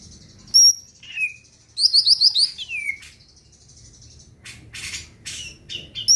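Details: Greater green leafbird singing gacor to stir other birds: scattered sharp high whistles, a short burst of rapid chirped notes and a falling slurred whistle, broken by quiet gaps and a few clicky sounds.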